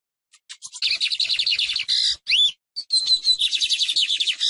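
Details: A lined seedeater (Sporophila lineola), a non-breeding winter visitor east of Colombia's Eastern Andes, sings a fast, buzzy run of rapidly repeated high notes, pauses briefly, then launches into another trilling, sweet phrase.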